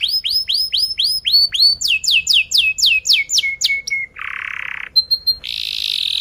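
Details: Canary singing as a training model for juveniles: evenly repeated upward-curving whistles, then quicker falling notes, a buzzy low rattle, a few short high pips and a thin buzzy trill.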